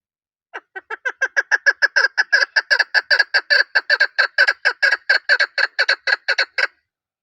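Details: Chukar call building from soft, spaced clucks into a loud, rapid chattering series of about thirty-five harsh chuk notes over six seconds, then stopping abruptly.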